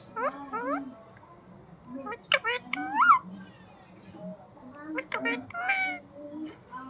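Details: Pet parrot talking nonstop indoors, producing speech-like phrases with sharp rising and falling whistled notes, short bursts separated by brief pauses in a quiet room.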